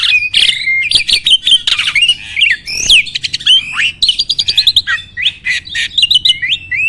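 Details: Starling song played as a master recording to make caged birds sing: a dense jumble of sharp whistles, upward-sweeping notes, rattling clicks and harsh squawks, delivered in quick bursts with almost no pause.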